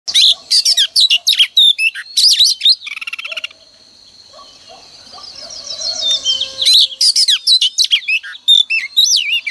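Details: Female oriental magpie-robin, used as a decoy each morning to stir males into singing: loud bursts of rich whistles, sharp chirps and buzzy trills, a pause with a faint steady high tone, then quick varied phrases again.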